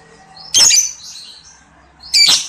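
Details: Lovebird delivering two loud, rasping shrieks about one and a half seconds apart, with faint twittering in the gap.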